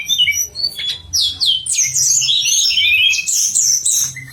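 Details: Pied fantail song used as master material for contest songbirds: a fast, dense run of high, thin whistles and chirps, with sweeping and twittering notes tumbling together, over a faint low hum.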